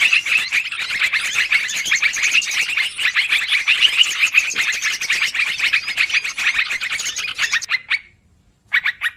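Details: Long lure recording of noisy yellow-vented bulbul calling for trapping birds: rapid, crowded chirps and twitters running without pause, then a brief gap and a short final burst.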